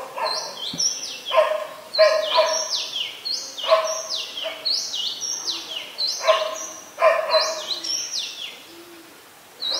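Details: Olive-backed sunbird (Cinnyris jugularis) calling in mangrove forest at the Sirinart Rajini centre, Thailand: a rapid run of high, sharp notes sliding downward, about three to four a second, with lower, harsher bursts underneath, possibly a distant dog.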